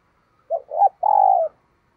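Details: Decoy spotted dove cooing in the thúc gù style, a bird kept to lure wild doves: two short low notes followed by one long, even coo, a single phrase in quiet surroundings.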